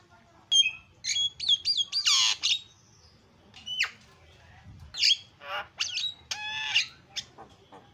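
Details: Asian pied starling song, very noisy: whistled wavering slurs, a harsh squawking burst, then scattered sharp clicks, rasps and whistled notes in irregular phrases.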